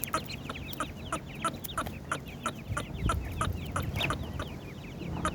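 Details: Rapid, high-pitched falling peeps from a group of partridge chicks, steady and overlapping, accompanied by evenly spaced sharp tapping sounds.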